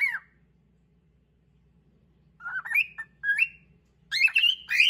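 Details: Caged cockatiel using song to push another cockatiel off its favourite perch: one short falling whistle, a silent gap, then two rising warbled phrases and a loud chattering burst of whistles.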